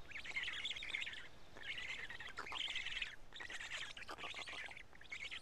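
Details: At a Karula black stork nest on 31 May 2017, shortly after noon, chicks feeding on two large fish; buzzy, rattling bursts repeated almost continuously in five phrases, broken by brief pauses.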